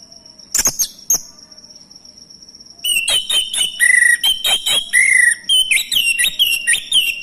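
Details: Male orange-headed thrush song played to provoke other thrushes to sing: two sharp opening notes, silence, then a long lively stream of loud, varied whistles and trilled phrases rising and falling, repeated about twice a second.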